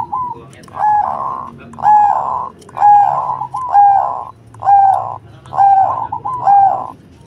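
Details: Cemani zebra dove singing with a big voice: seven burry, purring coo notes, evenly repeated about once a second, each holding a clear tone at its center.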